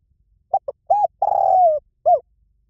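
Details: Spotted dove singing in the 'Liu Tan' style, played to lure and train a captive dove to coo back: quick pair of brief notes, a full arched coo, a long drawn-out coo easing downward, then a single short falling coo.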